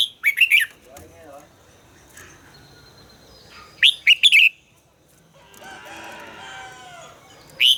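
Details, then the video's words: Red-whiskered bulbul in voice training: a burst of quick chirpy notes, then a second phrase of warbled syllables, a stretch of soft rustling noise, and a final single note. "luyện giọng chào mào hót hay - căng lửa, chào mào hót quá phê"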